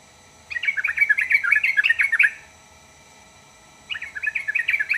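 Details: Yellow-vented bulbul singing a lively phrase of quick, gurgling, warbled notes lasting nearly two seconds. After a pause of about a second and a half, a second similar chattering burst begins.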